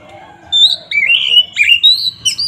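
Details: Oriental magpie-robin (kacer) singing in a loud, aggressive fighting style used to provoke rival birds: clear whistled notes, slurred rising and falling phrases with harsh buzzy inserts, delivered in quick bursts.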